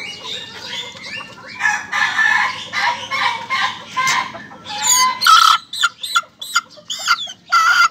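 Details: Young Ayam Ketawa chicken producing a long series of rough, harmonic crowing notes in a broken laughing cadence, ending with separate short bursts, with thin high chirps from other birds around it.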